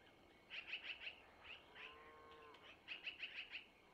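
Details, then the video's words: Long-eared owl owlets begging at the nest while the mother takes food from the male and feeds them, recorded by a nest roost camera in Missoula: short squeaky chirps in quick bursts, with soft lower tonal sounds between them. "Mom takes from Mr to Feed Little Owlets -Long Eared Owl"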